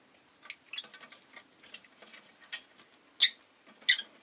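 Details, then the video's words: Soft ticking twitters from a rosy-faced lovebird give way to two loud, shrill chirps about half a second apart near the end. "Lovebird Chirping Sounds"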